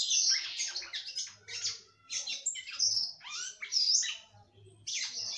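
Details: Female red-cowled cardinal singing heavily to stimulate a male: energetic bursts of chattering, slurred high notes and squeaky whistles, repeated in phrases about a second long with brief gaps.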